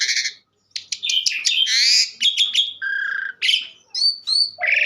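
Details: Asian pied starling chattering with buzzy slurred notes, sharp ticks, a low flat whistled tone and high thin whistles, delivered in fast, varied succession.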